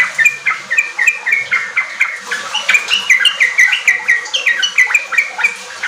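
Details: Sooty-headed bulbul in full, lively song, used as a lure so untrained kept bulbuls quickly start singing riwik and rapid ropel phrases: dense chattering bursts of short bubbly notes, sharp tweets repeated several times a second, overlapping voices throughout.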